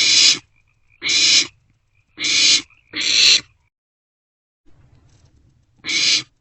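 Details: Barn owl chicks in a nest box, night of 27 March 2024, sharing food; four quick rasping screeches, a pause with faint shuffling, then one more screech.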